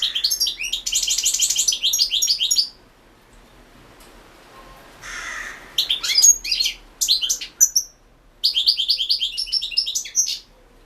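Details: Goldfinch competition song, 2016 internet World Championship, Carduelis Balcanica; a rapid chattering twitter, a pause with a brief rustle, then several short tinkling bursts and a final sustained twittered run.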